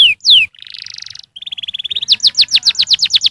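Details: Canary song played to make young canaries sing, opening with two falling whistles, then a harsh buzz, a thin even trill and a fast rolling run of repeated notes.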